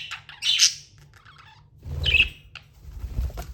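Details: Tame budgie giving two short, sharp scratchy chirps about one and a half seconds apart, with a soft thud and a low room hum between them.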